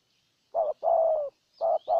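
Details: Spotted dove decoy bird in Ninh Thuận, Vietnam, cooing to lure a wild dove: a short low coo, then a longer sustained coo that falls slightly at the end, with another short-long pair starting.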